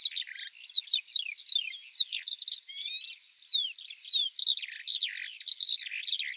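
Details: Eurasian Skylark delivering fast, continuous high song, chirps and twitters interspersed with series of thin descending whistled notes in the middle, then more jumbled warbling to the end.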